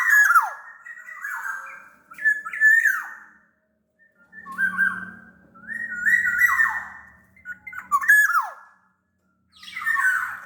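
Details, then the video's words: Sumbawa black-naped oriole, noted as bigger than Bali or Java birds, sings repeated bursts of rich fluty whistles with harsh squawking edges and sharp downward slurs, each phrase followed by a short pause, with faint low hum. "SUARA KEPODANG GACOR pancingan kepodang agar bunyi"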